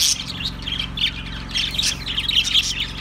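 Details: Budgerigars chattering in a dense, continuous stream of high squawks and chirps, overlapping and busy throughout, over a steady low hum.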